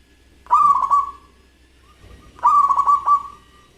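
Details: Zebra dove of local stock, described as singing vigorously with a crystal voice. Two bursts of rapid, rolling coos, each trailing off into a soft sustained note, come two seconds apart against a faint low hum.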